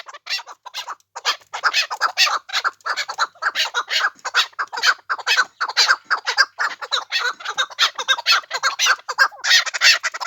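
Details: Chukar in the Pamirs, a dense, continuous stream of raspy clucking and chattering notes without pauses, sounding like several birds calling together.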